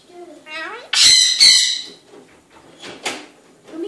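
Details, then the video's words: Pet Eclectus parrot in evening talk indoors: a run of voice-like harmonic syllables leading into two loud, raspy squawks, followed by quieter chattering bursts and a rising note at the end. "Evening talk with Eclectus Parrot"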